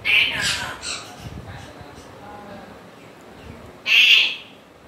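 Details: Grey parrot giving a harsh, broadband squawk at the start, then a quieter stretch before a second loud rasping screech near the end.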